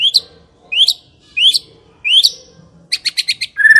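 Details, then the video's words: White-rumped shama song used to lure other shamas into singing: four rising whistled upslurs spaced about two-thirds of a second apart, then a quick burst of short high notes. "Pancingan murai yang belum bunyi"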